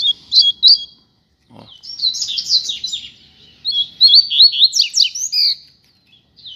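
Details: Song of a rusty-collared seedeater, one of a pair placed outside on the street: two opening whistles, then a long rapid warbling run of slurred, bouncing high notes, briefly broken by a soft thump.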